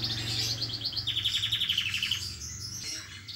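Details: A moulting canary with messy feathers is made to sing: rapid high chirps run straight into a quick, steady trill of repeated notes falling slightly in pitch, followed by softer twittering over a low hum.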